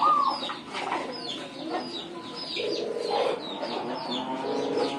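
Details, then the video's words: Local zebra dove in kowar-kowar style, giving a short high rolling note and then lower, rapidly pulsed coo phrases, with busy chirping from other small birds throughout. "KUTUT LOKAL KOWAR-KOWAR"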